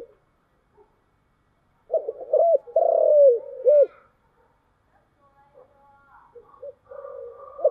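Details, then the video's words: Spotted dove giving a lure coo in the thổ voice style: after a pause, a run of short, hooked coos and one long, rolling, burry coo, then quieter, broken cooing fades out. "cu gáy giọng thổ chiêu gù"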